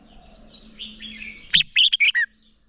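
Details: Red-whiskered bulbul in competitive morning song, 'hót đấu', used to train a wild-caught bird: soft, faint warbling first, then a sudden loud burst of four or five clear, quick whistled notes.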